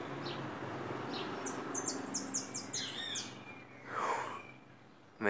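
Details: A white saffron finch, described as loose and singing, gives a quick run of high, stepped chirps, then a lower downslurred note, over people talking in the background.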